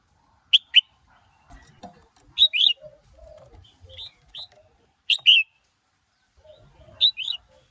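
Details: Red-whiskered bulbul male stirred by a female, singing in the 'sổ bọng' and 'ché' styles. Paired crisp whistles repeat every second or two, with faint low chirps and rustling between the phrases.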